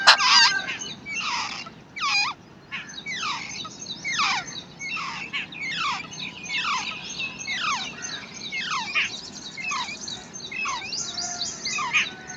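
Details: Wild babbler chicks being fed and guarded by their parent: a busy series of sharp, downslurred chirps, some short and high, others longer and sweeping, repeated irregularly throughout against a soft outdoor background.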